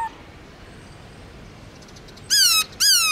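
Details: After a quiet stretch of faint background hiss, a black-throated laughingthrush (Garrulax chinensis) in forest-voice long slurred song style bursts out with two harsh, buzzy, downslurred notes close together.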